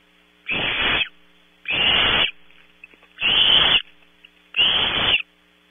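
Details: Barn owl owlets at Starr Ranch, California, competing for prey brought in at 3 a.m. Four harsh hissing screeches, each about half a second long, come roughly every 1.3 seconds over a faint steady electrical hum.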